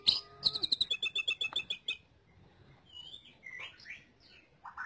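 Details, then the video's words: Greater green leafbird song used for tutoring other birds: a rapid rattling trill of sharp high notes, then quieter scattered whistles and a final buzzy phrase. "Suara Burung Cucak Ijo Untuk Pemasteran"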